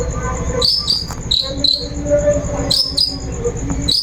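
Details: Long-tailed shrike sound used as a lure to draw another bird into singing: short, sharp, downslurred high chirps in loose pairs and small clusters, over a steady thin high whine and a low background hum.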